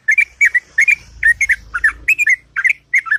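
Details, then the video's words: Sooty-headed bulbul's melodious morning song, quick bubbly whistled couplets repeated about three times a second, with a faint low rumble behind. "Burung Trucuk Ngropel Panjang & Merdu Di Waktu Pagi"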